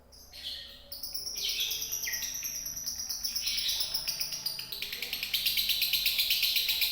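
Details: Konslet-style lovebird song from Indonesia: rapid high ticking chatter that builds steadily, mixing shrill whistled slurs with buzzy pulses at roughly three notes a second.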